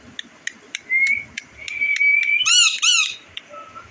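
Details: Indian ringneck parakeet described as sad; soft ticking clicks and a thin wavering tone lead up to two loud, harsh, ringing squawks, then quiet.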